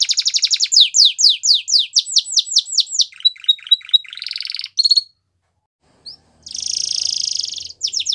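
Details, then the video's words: Singing canary for training young birds: quick trilled notes, a sequence of falling whistles, short clipped notes with a sustained high tone, buzzy rolls, a pause, then a loud rattling trill. "Canary Bird Sounds | The Best Canary Singing For Training"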